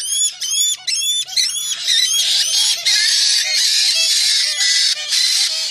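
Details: White-bellied parrot opens with several clear, upward-sweeping whistled notes, then moves into sustained harsh, buzzy screeching with short breaks.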